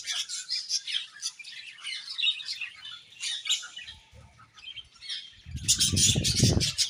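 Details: Continuous high budgerigar chatter of scratchy chirps and warbles, ending in a louder burst with heavy low rumbling noise.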